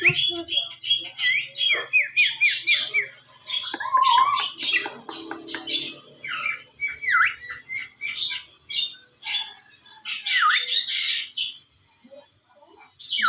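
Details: Javan myna whistling: a run of quick rising whistled and squawky notes, then harsh broadband rasps and varied chattering phrases with short pauses, fairly loud and close.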